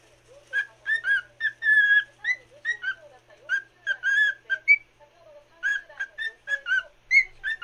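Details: A cockatiel sings for a companion cockatiel, rapid clear whistles, a few drawn out or climbing in pitch, grouped in bursts with short breaks.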